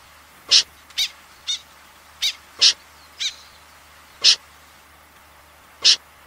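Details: Common snipe in a 2020 recording: brief, harsh, rasping notes repeated at uneven intervals, clustered early and then more widely spaced, against a quiet hissing background.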